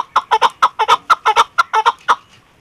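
A chukar partridge gives a rapid run of about twelve harsh, clucking notes, some doubled, over roughly two seconds before fading; nothing else is heard.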